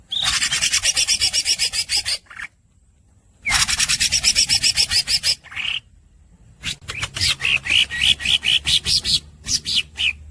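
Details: Greater green leafbird delivering unbroken, fast song: long runs of rapid buzzy rasping notes separated by brief pauses, then a quicker chattering sequence mixed with clear whistled notes.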